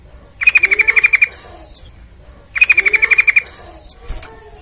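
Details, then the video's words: Trucukan, or sooty-headed bulbul, singing vigorously as a lure for other bulbuls: two rapid, buzzy-edged trills of around ten notes each, separated by a brief high squeak and a pause. "Pancingan TRUCUKAN Gacor Supaya Cepat Bunyi"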